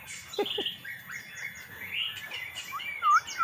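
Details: Magpie-robin said to be sulking, giving scattered whistled notes and short chirps, a few loud clear slurred whistles near the end, over faint background hiss.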